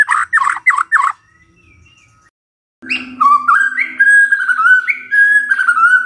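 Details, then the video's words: White-rumped shama singing in the morning as a lure for quiet birds: three quick warbled notes, a pause, then a long flowing run of mellow whistles over a steady low hum. "Pancingan PAGI-PAGI AGAR MURAI GACOR❗ murai diam pasti ikut NYAUT❗❗"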